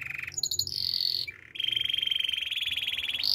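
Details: Brief canary song passage of buzzy rolls at different pitches, broken by a short dip, then a sustained trembling trill.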